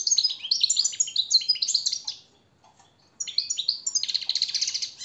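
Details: European goldfinch song used to train captive birds: liquid twittering notes run into a quick buzzy trill, a short pause, then another twittering phrase ending in a sustained rattling trill.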